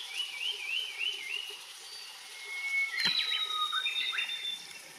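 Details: Enkaizan, 23 May 2020: a Blue-and-white flycatcher's song, opening with a wavering, repeatedly looping whistle, then sharp high whistled strokes and a long thin high note after a brief click.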